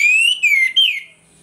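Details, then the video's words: Orange-headed thrush singing in the morning as a lure to provoke aggression: a clear, drawn-out whistle that rises, then falls, followed by a second slurred whistle that also drops away. "ANIS MERAH NGEPLONG PAGI, PANCINGAN ANIS MERAH AGAR CEPAT EMOSI"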